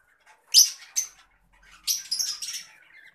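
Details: Green adult Fischer's lovebird calling with piercing, high shrieks: a sharp loud pair of notes, then a brief gap, then a longer run of rapid grating chirps.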